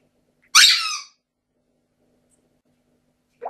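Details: Pet grey parrot indoors at breakfast gives one loud, harsh screech lasting about half a second. Quiet follows, then a brief softer sound at the end.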